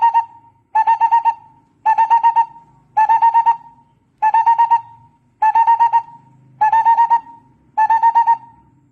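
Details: Barbet lure call: repeated bursts of rapid, hollow, flute-like notes about once a second, eight bursts, over a faint low rumbling hum in the background.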